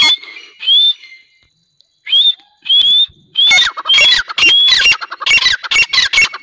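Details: Grey francolin, a pair of Dakhni teetar, calling: loud shrill notes with rising whistled tones, given in bursts that quicken and overlap toward the end after a short pause.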